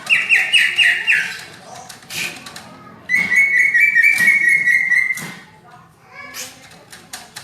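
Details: Greater green leafbird in energetic, dense 'rapet' song, kacer-flavoured and meant for tutoring: a quick pulsed trill at the start, sharp clicks, then a long sustained whistled warble, ending in softer chips.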